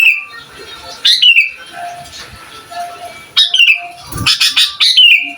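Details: Sooty-headed bulbul singing on a master recording meant to provoke rival bulbuls: clear whistled phrases sliding downward, in bursts a few seconds apart, with softer twitters and a faint steady tone between.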